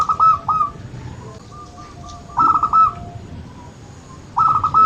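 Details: Local zebra dove (perkutut lokal) played to stimulate birds that rarely sing: a bubbling, rolling series of soft trilled coos in a rapid burst of about four notes, repeated roughly every two seconds, with faint fainter coos between.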